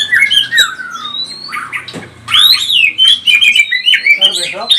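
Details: Emotional song of a pastol white-rumped shama, used to stir other shamas into singing: descending whistles, sharp clicks, then rapid warbled high phrases in quick succession.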